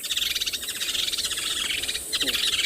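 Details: Two Woodland Kingfishers, probably a courting male and female, perch hidden above a safari vehicle on an afternoon drive in a South African game reserve, 30 November 2020. They give a loud, rapid, high trill over faint vehicle hum.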